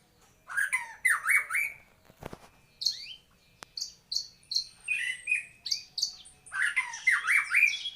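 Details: Song of a white-rumped shama: clusters of loud, chattering sweeping notes, a sharp click, then a series of short high whistles roughly every half second before another chattering burst.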